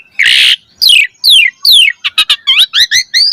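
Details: Asian pied starling song used as a lure for training caged birds: a harsh buzzy burst, then clear descending whistled slurs and quick rising chirps in a busy varied phrase.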